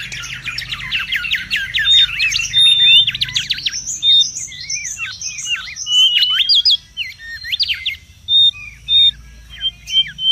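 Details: Mangrove whistler calling noisily in the wild, used as a lure and tutor recording: a dense burst of quick vertical chips, then scattered slurred whistles and short bright pure notes separated by pauses.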